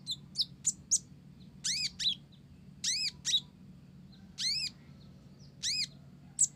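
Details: Blorok olive-backed sunbird sings Java sparrow-style phrases. Ringing arched notes with stacked overtones are repeated about once a second, mixed with sharp high chirps, over a soft low hum.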